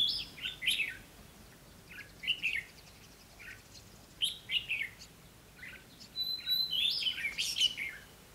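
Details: Red-whiskered bulbul decoy singing to draw and challenge wild birds, recorded 20 May 2016: short chirpy warbled phrases repeated in uneven bursts, a thin high whistle near the end.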